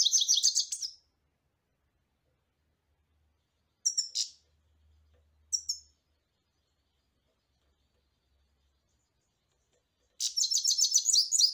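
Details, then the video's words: European goldfinch singing in short twittering bursts, about a second each, of rapid high tinkling notes at the start and end, with two brief chirps between and long silent gaps. "carduelis الغناء"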